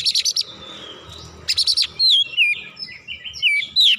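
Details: Agitated oriental magpie-robin showing off its full repertoire, opening with harsh rasping bursts, then clear sweeping whistles that dip and rise in quick succession, several notes per second.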